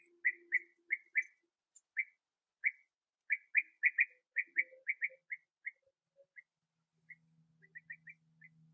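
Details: Bee-eaters feeding young at the last occupied nest tunnel, sunny with 21°C, 8 August 2017; a long series of short rolled calls, quick at first then spacing out, with a low faint hum and soft background noises.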